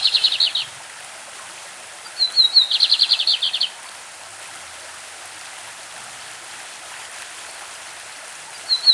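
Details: Lined seedeater, a Brazilian bird described as a champion singer with a classic song, recorded with a stream in the background: a thin whistled note followed by a rapid buzzy trill of about ten notes, two short phrases, over steady water noise.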